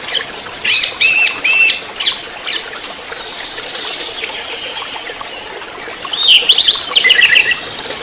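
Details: Orange-headed thrush giving trotol-style song for a master recording meant to prompt singing: quick bursts of sharp, rattling high notes, a pause with a thin sustained whistle, then rapid twittering phrases.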